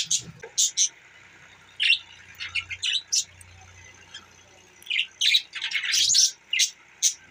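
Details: Budgerigar giving separate sharp, squawky chirps spaced by short silences, then a quick cluster of harsher chirps near the end.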